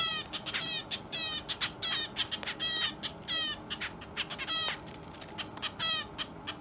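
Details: Young hand-fed Java sparrow kept as a pet, filmed indoors on March 30 after being left behind by its companion bird, calling insistently: about ten rapid harmonic, slightly descending calls with soft wing fluttering between them.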